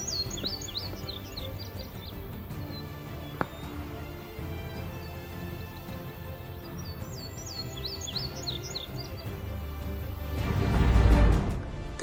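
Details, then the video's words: In June, where woods meet a field, an Indigo Bunting sings two bursts of high, sweet paired notes several seconds apart, over soft background music and a low rumble, with a brief gust near the end. "Where the woods meets the field, there is always an indigo bunting calling."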